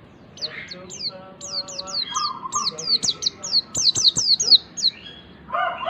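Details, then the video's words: White-eye (pleci) lure song to make a young bird sing: accelerating string of high, sharp downslurred chirps, with lower tonal and buzzy warbling notes underneath and a harsh burst at the end. "pancingan pleci agar cepat ngalas PLECI BAHAN CEPAT BUKA PARUH"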